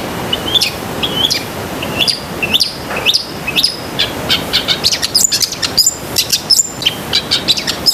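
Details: A long-tailed shrike sings vigorously in a recording for training pet shrikes. Several flat whistles with rising flicks open the passage, then give way to a dense, rapid jumble of sharp chirps and clicks over faint low noise.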